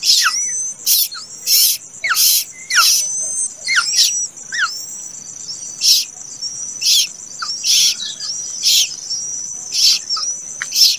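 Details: Late-hatched plaintive cuckoo chick begging: harsh, hissing bursts repeated about every half second, with a thin steady high whistle and fine chirps running beneath, plus short descending squeaks.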